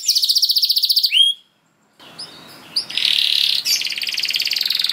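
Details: Canary in full 'gacor' song, used to spur other canaries into singing: a fast high trill breaks off into a short silence, then a hissy-backed, buzzy rolling trill with scattered sharp notes.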